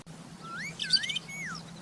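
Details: Rufous-tailed scrub robin in the wild: clear whistled slurs, one rising and others dipping and falling, around a brief cluster of sharp bright notes at the centre.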